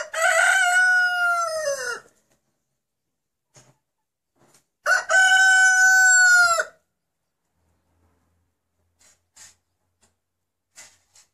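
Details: A rooster, whose crow is likened to the word "anneanne" (grandma), gives two loud, drawn-out, ringing crows of about two seconds each, several seconds apart, with faint scratchy sounds in between.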